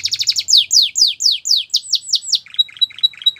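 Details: Canary song used for training young canaries: a fast run of short high notes, then a series of descending whistled slurs repeated about every quarter second, ending in quick buzzy chirps with a thin steady tone.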